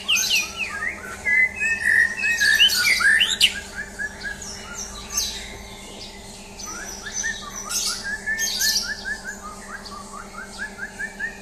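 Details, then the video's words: Champion white-rumped shama in a mental test, singing a rich, fast medley of bright whistles, rising slurs and scratchy trills, loudest in the first half and softer afterwards, over a steady low hum. "Tes Mental Murai Batu Juara"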